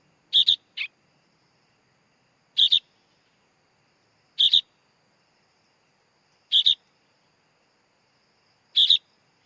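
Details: Young sooty-headed bulbul repeating brief, harsh, paired call notes roughly every two seconds, five calls in all, with a quiet background.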